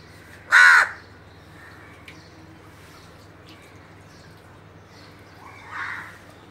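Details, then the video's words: A crow utters one loud, hoarse caw, then a long quiet gap before a softer, more distant caw. "CROW BIRD"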